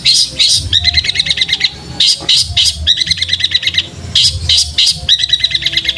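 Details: Long-tailed shrike in sparrow-fight roll-speed style, recorded for training cage birds: bursts of harsh high chirps alternate with quick rattling rolls of doubled notes, repeated in phrases about every two seconds over a low hum.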